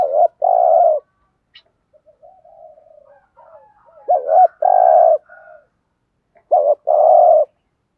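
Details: Spotted dove giving thúc gù coos with a giọng thổ voice: paired long hollow coos opening, then quieter murmuring notes, followed by a wavering double note and a sustained coo, repeated twice.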